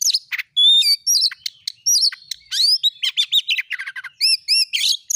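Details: Oriental magpie-robin song in the 'nembak' style, meant to provoke rival magpie-robins; a clear whistle opens, then quick slurred phrases, sharp ticks and repeated paired upswept notes toward the end.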